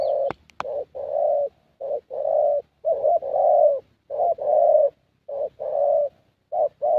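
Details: Young 'thổ' Spotted Dove with a fairly good voice, cooing during a decoy session: low, hollow coos in repeated phrases of short and drawn-out notes with brief pauses between, two sharp clicks near the start.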